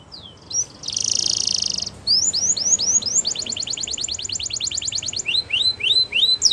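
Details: Russian-type canary flute singing as a training song: opening whistles, a loud buzzy roll, then rising slurs leading into a long rapid trill and a few drawn-out downward sweeps.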